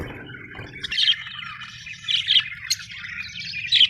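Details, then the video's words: Happy budgerigar chirps come in short bright bursts about once a second over a low steady hum, with a brief scratchy warble at the start. "happy budgies chirping sound"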